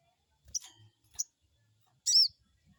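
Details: Crested jay crecet call played as a lure to prompt a newly caught bird to respond: two brief high clicks followed by a louder, buzzy, arched chirp with layered harmonics.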